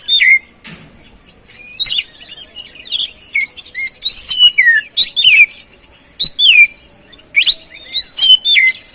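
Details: Oriental magpie-robin singing as a lure for a caged bird that has stopped singing: loud whistled phrases with swooping slurs and scratchy notes, separated by short gaps, against faint background hiss.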